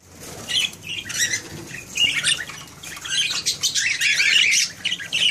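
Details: A group of budgerigars, including a couple of exhibition budgies and an albino mother, chatter in a busy stream of high, scratchy warbles and chirps.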